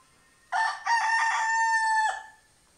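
A White Leghorn rooster gives one crow lasting about a second and a half, a short opening note, then a long held note that drops away at the end.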